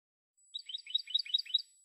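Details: Quiet, rhythmic twitter from a Spanish goldfinch on a silvestrismo tutor CD. Paired chirping notes repeat steadily in a short, liquid phrase of about one second.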